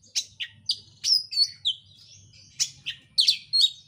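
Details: Oriental magpie-robin singing, played to set off another bird: loud high whistles, rising and falling slurs and harsh chips delivered in quick succession with barely any gaps.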